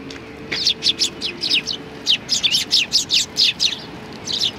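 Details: Sparrows coming to be fed at a shrine on 25 November 2020, giving a steady stream of short, bright chirps, several overlapping, over a hum of background noise.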